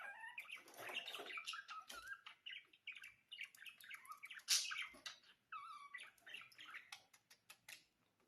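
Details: Pet budgerigars chattering: rapid twittering warble with clicks, scratchy notes and short rising whistles, slightly fading toward the end.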